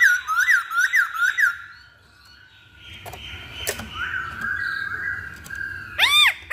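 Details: Poksay Hongkong, the Chinese hwamei, on a recording used to lure birds into song: four quick looping whistled phrases, a quiet pause, long drawn-out level whistles, and a sudden loud arched note at the end.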